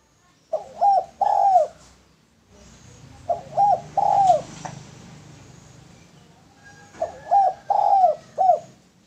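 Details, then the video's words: Male spotted dove suited as a lure, giving three repeated coo phrases. Each is a quick pair of short low notes, then a longer hollow coo and a final clipped note, with quiet low background noise between phrases. "Derkuku Tekukur Jantan Cocok Buat Pancingan"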